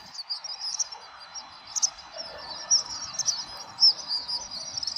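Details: House swifts flying together at dusk over Surugadai, Tokyo, in December 2023 before entering their roost; loud high twittering trills come in clustered bursts every second or so above faint traffic hum.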